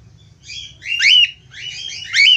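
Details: Two bursts of bright, wavering budgerigar chatter, with quick bent whistled notes, as the bird calls to the female. A low hum sits in the background.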